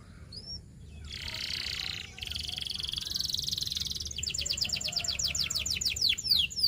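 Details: Training song of a canary: two long, steady buzzy rolls, then quick repeated descending chips that speed up into sharp, high slurred notes.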